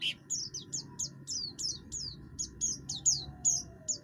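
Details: Harsh-voiced song of an oriental white-eye, buxtoni type, used to draw other birds into singing: a steady series of high, falling chirps about two or three per second, with faint lower whistles and a constant hum.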